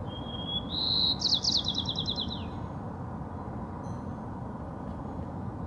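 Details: White-crowned sparrow singing in a backyard in Miraloma Park, San Francisco: a clear whistled opening note, then a higher whistle and a fast buzzy trilled series that descends, one phrase over steady low traffic-like rumble.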